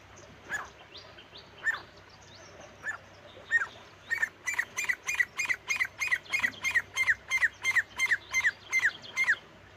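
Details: Male and female partridge calling. Spaced, sharp squawking notes start slowly, then speed into an even, rapid series of loud repeated calls, several per second, with a quiet background.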